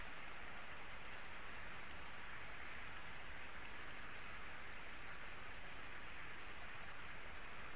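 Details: Steady hissing noise like rain falling on a surface fills the whole recording, with no animal call heard.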